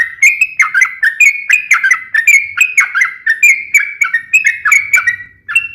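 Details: Rapid, sharp fighting song of a sooty-headed bulbul, used to make other bulbuls sing back. Bubbling whistled phrases tumble one after another, with bright upward flicks and quick drops, at an unbroken, hurried pace. Background is clean.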